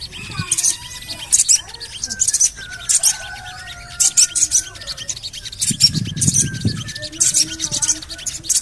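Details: Rapid high chattering bursts from a Javan cochoa used as a lure to make birds sing, with long thin whistles underneath and a low rumbling noise late on.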